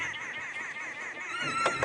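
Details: A group of Arrow-marked Babblers babbles in a fallen tree in the South African bush at dawn (about 6 AM, Aug 18, 2016), keeping up a harsh, nasal, overlapping chatter without pause over a faint low vehicle rumble.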